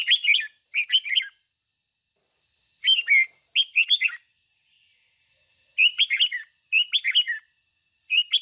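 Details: Red-whiskered bulbul used as a caged decoy, singing energetic ché-style phrases of rapid bubbly whistled notes in repeated clusters, steady faint high hum throughout.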